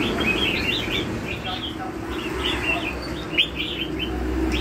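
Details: Red-whiskered bulbul, lân hầu bò song style: quick runs of clear warbled whistles with rising and falling notes in bursts, set against constant low droning noise and a faint background murmur.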